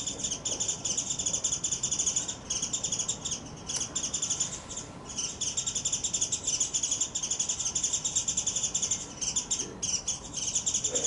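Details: Wild Japanese white-eye calling fiercely on 26 February 2024 after losing a chasing, grappling fight with a paired male; continuous rapid, high, buzzy chattering trills with brief pauses, over steady background hiss.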